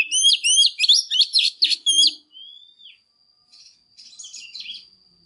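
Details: Female Oriental magpie-robin singing intensely to stir up males: two seconds of loud, rapid, varied whistled and chattering notes, then a single falling whistle and softer, scratchy twittering phrases.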